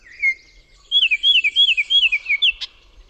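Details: Baltimore Oriole song with many different sounds, played during a talk on spring migrant songbirds in southern Quebec: a brief opening whistle, then a series of clear, fluty slurred notes in pairs falling in pitch, ending in a short harsh burst.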